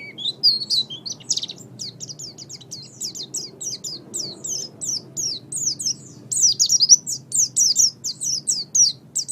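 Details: Oriental white-eye singing for songbird training, a long, fast series of high, sharp whistled notes and twitters, repeated several times per second and growing louder toward the end, with low-level background noise.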